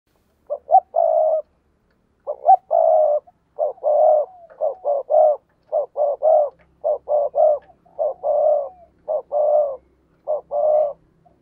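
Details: Spotted dove decoy cooing, played to make wild doves angry and coo back; low mellow hooting coos in quick clustered phrases, repeated steadily with brief gaps across the recording, no other sounds.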